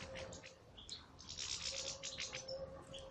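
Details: Captive European goldfinch in an aviary, giving a fast, dense twittering burst of high, scratchy, tinkling notes that run together for about a second, with scattered sharp chirps before and after and a steady low electrical hum underneath.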